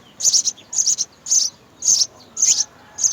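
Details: Six loud, high-pitched chirping bursts, each a quick cluster of notes about half a second apart, from three young house sparrows being fed at the nest by their parents.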